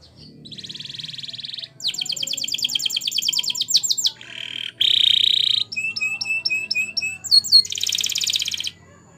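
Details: Canary singing for training, with varied tours: a soft buzzy trill, a bright series of fast repeated notes, a loud harsh buzz, then crisp stepped chirps and a closing rattling roll.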